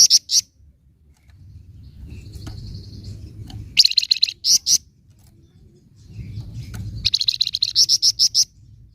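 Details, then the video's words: Flamboyan bird giving its 'nyecret' chatter, used to provoke other birds: high, buzzy rattling bursts and rapid chirp series, each lasting under a second, separated by pauses filled with a low droning hum. "Flamboyan Nyecret Ampuh Memancing Emosi Burung Flamboyan Bahan"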